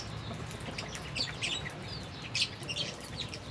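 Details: Albino and Fischer's lovebirds eating and playing, giving a scattered run of shrill, high chirps in quick irregular bursts over a faint low hum.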